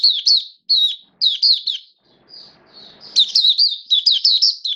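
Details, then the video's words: White-eye in a cage, hobby songbird in build-up form, 19 September 2022: a series of high, sharp, down-slurred chirps in quick pairs, a quiet drawn-out note, then a lively fast warbling run. "Mata Puteh V2 Raja Buka Sing Build Up Form"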